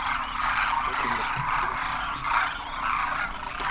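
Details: Migratory Demoiselle cranes gathering in thousands at a Rajasthan water hole in Khichan during winter; many rolling calls blend into an unbroken chorus, swelling briefly near the middle, with a faint steady hum.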